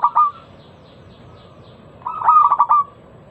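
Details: Local zebra dove lure song for prompting other doves: a short loud double note opens, followed after a pause by a rapid pulsed cooing phrase of about six stutters, with faint background hiss.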